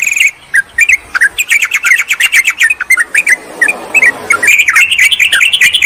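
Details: Lure recording of yellow-vented bulbuls calling a rival, used to draw in wild birds; dense liquid chirping phrases from several birds, briefly thinning in the middle, then a burst of rising notes.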